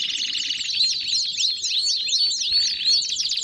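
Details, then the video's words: Belgian canary song with clear, swooping whistled notes repeated roughly three per second over a background of quick high trills. "CANÁRIOS DO REINO CANTANDO!!! BELGIAN CANARY SINGING!!!"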